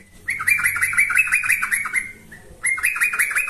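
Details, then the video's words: Yellow-vented bulbul lure song: a single long, rapid chattering phrase that tails off, a faint short note, then a new bubbly burst begins. "Ini Baru Pancingan Trucuk Sesungguhnya || Burung TRUCUKAN GACOR"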